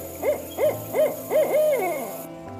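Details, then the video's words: Series of five owl hoots, the first four short and evenly spaced about a third of a second apart, the last one longer and held, with a steady humming musical drone underneath. "उल्लू | AMAZING OWL VOICES"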